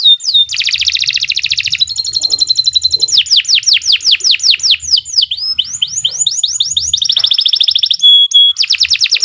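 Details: Canary singing a long, loud master song meant for training young birds: rapid rolling trills and fast series of downward-sweeping whistled notes that change speed from section to section, with a clear sustained tone near the end.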